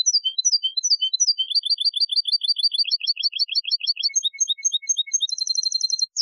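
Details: European goldfinch delivering a long copia song for teaching young birds and hybrids: twittering opening notes, rolling trills, a descending series of clipped notes and a bright rapid final trill, continuous and clean.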